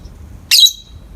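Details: Short harsh chirp from a pet peach-faced lovebird bathed in morning light, one rasping burst of about a quarter second ending in a thin whistled trace, in an otherwise quiet room.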